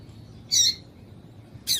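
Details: Female yellow-bellied seedeater calling to stimulate males to sing, as used by tournament breeders. Two short, high, harsh chirps sound about a second apart over a quiet background hiss.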